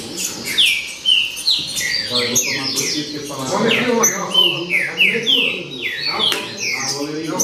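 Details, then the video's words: Green-winged saltator (trinca-ferro), 'baderna' style singing: rapid, overlapping series of clear falling whistles and short chirps, repeated densely throughout, with faint low background murmuring. "Baderna De Trinca Ferro Show!!!"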